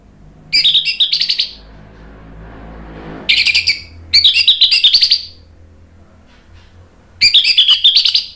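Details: Orange-headed thrush; song; used to stimulate other birds to sing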